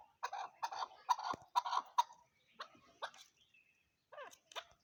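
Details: Chukar partridge calling: a quick run of hoarse, clucking chuck notes, roughly two or three per second, for about two seconds, then fainter, more widely spaced clucks and a short rasping note near the end.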